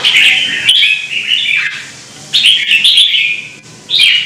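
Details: Contest singing from a caged red-whiskered bulbul: three loud bursts of slurred, warbling whistles, the first long and gradually falling in pitch, the others short and sharp.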